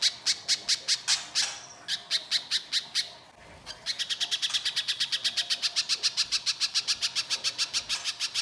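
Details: Little spiderhunter singing a lure song meant to draw other spiderhunters to answer, in a continuous rough style: rapid sharp high notes repeated about twice a second, a brief pause after three seconds, then a long steady run.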